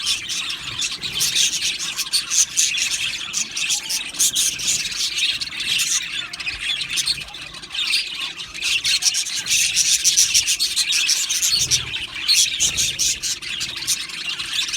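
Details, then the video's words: Aviary of Australian budgerigars chirping in a colony: steady high chatter of many birds, with sharper squawking notes breaking through and a brief quieter dip midway. "Australian parrot Chirping Sounds | Australian Budgies Parrot Singing Video"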